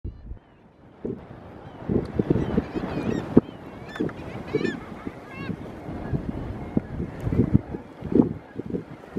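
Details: A dense chorus from a thick-billed murre (Uria lomvia) colony on Novaya Zemlya: deep, rolling growls from many birds overlapping without pause, with thin, higher squeals and a little wind.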